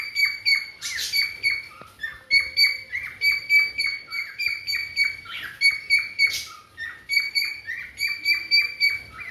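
Cockatiels give rapid, repeated bright chirps with harmonic overtones, several birds calling together.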